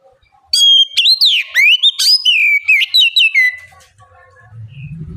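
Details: A loud oriental magpie-robin bait song, meant to get a young bird singing in answer. After a short quiet lead-in comes about three seconds of strong, sharply slurred whistles and twisting notes, fading to a soft low rumble.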